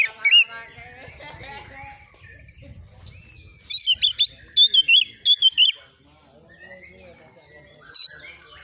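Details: Oriental magpie-robin (kacer), an untrained young bird, answering agitatedly as if seeking a rival: scattered quiet chirps, then a loud burst of rapid high whistled notes repeated about ten times, and a final sharp whistle.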